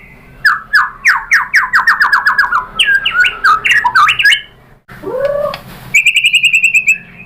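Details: Murai batu, white-rumped shama, pancingan lure song to stir other birds into responding: quick descending buzzy notes run into varied chattering phrases, a short break, a low slurred note, then a fast trill of repeated metallic notes.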